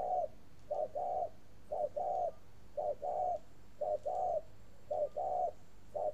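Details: Long cooing series by a caged spotted dove from a bird farm in northern Vietnam: repeated soft paired coos, brief then drawn-out, regular at about one per second, six units heard.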